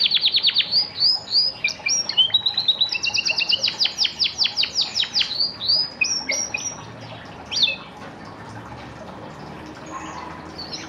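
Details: Orange pet canary, called a super whistler, delivers a long rolling song of rapid repeated chirps and trills at a steady fast pace for about seven seconds, then a single note and quiet.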